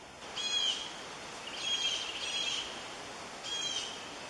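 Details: Two hungry red-shouldered hawk chicks begging in their nest as a parent brings food: thin, high whistled notes, slightly falling, given in three separate bursts against steady background hiss.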